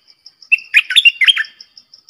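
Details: One bubbling, slurred phrase from four caged bulbuls used as decoys: a thin whistle opens into a rapid cluster of rising and falling notes, against faint regular high ticks.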